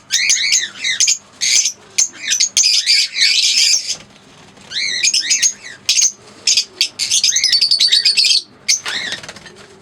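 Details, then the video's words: Two green Fischer's lovebirds squawking loudly: shrill grating bursts and bent chirps in clusters, separated by quiet gaps, ending with rapid chatter. "Singing & Chirping Sounds - Green Fischer Pair"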